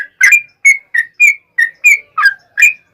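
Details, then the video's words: Lively yellow-vented bulbul pouring out a long rapid song to coax replies from other bulbuls: clear whistled chirps with slurred endings, some dipping lower, about eight notes in three seconds, in a quiet setting. "SUARA trucukan gacor ROPEL PANJANG pancingan trucukan agar bunyi"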